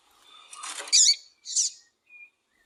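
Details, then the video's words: Double-collared seedeater pair, male and female calling, used to stimulate captive males; a rustling buildup into two loud, harsh chirps, then a faint short whistle. "ESQUENTAR COLEIRO TUÍ TUÍ COM COLEIRO TUÍ-TUÍ E FÊMEA CHAMANDO PARA ESQUENTAR COLEIRO TUÍ-TUÍ"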